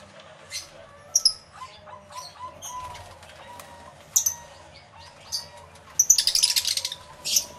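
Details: Many lovebirds in an aviary, recorded with two external microphones: scattered sharp high chirps and squeaks, a dense burst of shrill chatter near the end, and soft lower warbling notes throughout.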